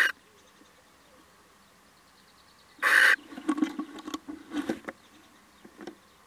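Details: A male little owl comes by and gives a single loud, rasping call of about a third of a second. Scattered rustling and faint clicks follow it.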